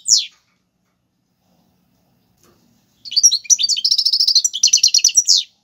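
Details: Goldfinch performing tiwawati galoubi and serfati style song meant for teaching fledglings: one sharp downslurred note, a long silence, then a rapid liquid twittering run ending in a quick even trill of repeated notes.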